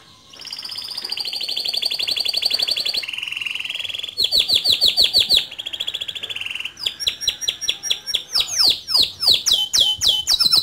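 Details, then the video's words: Male canary in full song, rolling and shooting style suited as a master for young canaries. The song has long, high, buzzy trills, then shifts to a lower rattling roll and ends in fast, sharp, descending whistled notes. "Suara Kicau Kenari Jantan Gacor Ngerol Nembak Cocok Dijadikan Masteran Kenari Muda"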